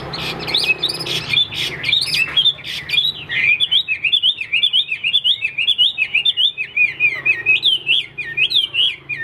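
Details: A newly acquired caged Chinese hwamei kept for fighting pours out a fast, loud run of rich whistled and slurred phrases, rising and falling continuously, with a few sharp chirps at the start.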